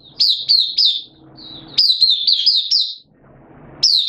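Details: Captive oriental white-eye kept as a song bird, its form dipped a little, 8 September 2022: sings quick bursts of high, thin, slurred chirps, three to five notes at a time, with short pauses between phrases over a faint low hum.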